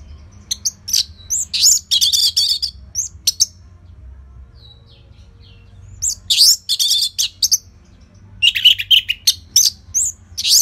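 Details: Orange-headed thrush giving a steady song used for training caged songbirds. Dense clusters of rapid, high chirps and trills come in three bursts separated by short silences.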